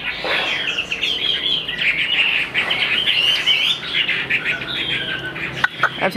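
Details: Caged hwamei (họa mi), described as fully tame and singing and fighting well, pours out a continuous stream of loud, rich warbled phrases, with a few sharp knocks near the end.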